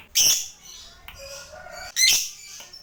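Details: Lovebird fighter, kept to prompt other lovebirds into long ngekek trilling, giving two harsh, loud, high squawks about two seconds apart, with softer chattering between them.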